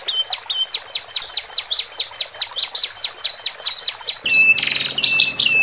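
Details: Horsfield's bush lark song from a male and female pair, aimed at calming newly separated caged birds; a long even series of sharp high notes about three per second, ending with a buzzy burst and flat whistle.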